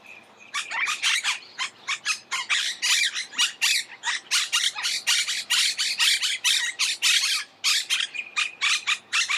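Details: Monk parakeet, also called Argentine parakeet, giving a rapid run of harsh, broadband squawks repeated several times a second, loud and continuous with brief pauses.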